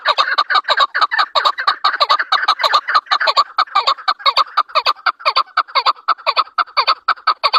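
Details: Chukar partridge, known as chakor and the national bird of Pakistan, calling in a fast, loud series of grating chuk notes, roughly two per second, in steady unbroken rhythm.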